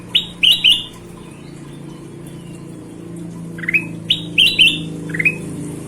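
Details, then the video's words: Golden-vented bulbul in lively, chatty song, used as a training recording for other songbirds: two bursts of clear, rising whistled notes, a quick triple phrase at the start and another cluster near the end, with a quiet background between. "Suara Kutilang Emas Gacor"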